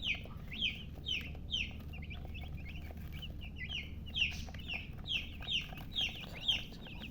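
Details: Chicks of a domestic hen cheeping steadily: short, bright, downward-slurred peeps, roughly two per second, in an overlapping stream over a low background hum.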